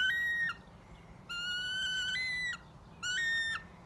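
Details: A hand-reared female Wahlberg's Eagle, vocal whenever she sees her familiar keeper, gives three high, drawn-out whistles, each jumping abruptly in pitch partway; the middle one is longest. Faint background hiss.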